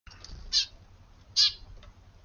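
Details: Sparrows of a regular early-morning family visiting a garden on 24 February, calling in more varied ways than a simple chirp; two loud harsh chirps about a second apart over faint background hum.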